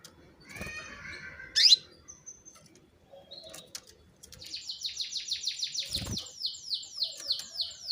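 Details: Female canary calling to spur males into song: scattered twittering notes and one loud, sharp downward chirp, then a fast, even series of repeated high sweeping notes running steadily for the last few seconds.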